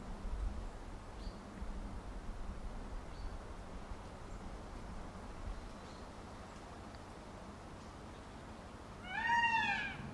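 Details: Low rumbling background noise fills most of the recording, then a peacock, displaying with its feathers spread, gives a single loud, nasal, cat-like wail lasting about a second near the end.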